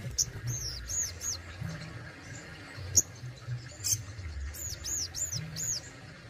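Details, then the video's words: Captive sogon (Crested Jay) in besetan and tembakan style: groups of three or four high, arched whistled notes, a pause with one sharp isolated note, then another run of arched whistles against low background rumble. "SOGON ISTIMEWA ,BESETAN DAN TEMBAKANYA WOW BANGET"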